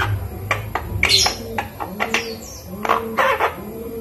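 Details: Five-month-old Javan myna in captivity learning to talk, taught greetings and coughing. Loud chattering bursts alternate with low voice-like hums and a thin descending whistle, in an uneven pattern.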